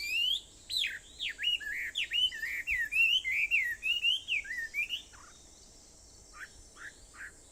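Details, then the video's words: Birdsong at 4:30 in the morning on Aobayama, Sendai, recorded 21 July 2014: clear whistled notes sliding downward, delivered in a quick rhythmic series for five seconds, then a few scattered softer chirps over a quiet hiss. "Sound of Birds on Aobayama, Sendai, 2014.7.21 (4:30)"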